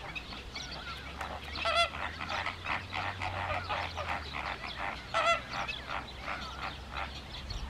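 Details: Wild greater flamingos in a flock in the Camargue in the evening give a constant chorus of overlapping nasal, goose-like honks and gabbling calls over a low steady rumble.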